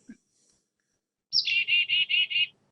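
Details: A Carolina chickadee gives its namesake chickadee call: a high, quick opening note, then five rapid, buzzy 'dee' notes at about five per second. Its call system combines note types that convey different information.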